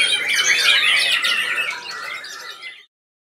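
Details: Competition murai batu singing during judging in ngedur style; a loud burst of tangled whistles and rapid chatter fades over nearly three seconds, then silence.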